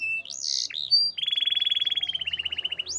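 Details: Canary giving a few sharp high notes followed by a steady rapid trill of about twenty evenly repeated pulses, ending in a rising whistle.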